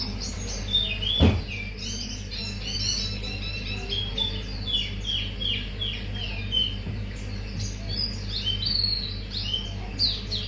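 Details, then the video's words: Mangrove whistler lure recording displaying its full repertoire: ten seconds of dense, high whistled phrases, rapid down-slurred notes tumbling one after another, one sharp thud early on, low background hum throughout. "Pancingan Auriventer wikar bongkar isian"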